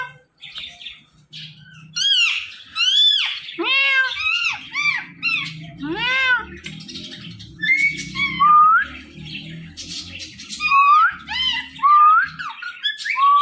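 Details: Indian ringneck parrot said to be talking: harsh, arching harmonic squawks in quick bursts, then a run of short rising chattering notes repeated about every second, over a steady low background rumble.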